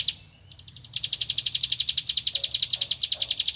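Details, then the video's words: One high note, a short gap, then a bar-winged prinia searching for a rival pours out a steady, rapid run of loud sharp clicking notes. "Ciblek Padi Cari Lawan Gacor Temabakan Ngempel"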